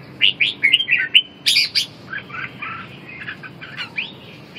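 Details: Red-whiskered bulbul singing in a contest to bring back a bird's lost spirit and strength; a fast string of clear whistled notes, then louder bursts and softer, chattering warbles trailing off.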